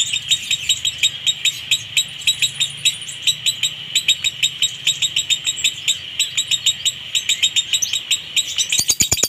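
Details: Lovebird konslet minor song with a dry tone, played to draw other lovebirds into singing: a steady stream of quick, shrill repeated chirps that ends in a burst of clicking notes.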